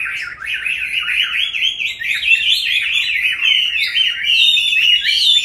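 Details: Caged Chinese hwamei, kept since capture as a wild adult and now in its fifth year, singing a loud, continuous warbled song of rapid rising and falling whistled phrases, dense and unbroken throughout, indoors.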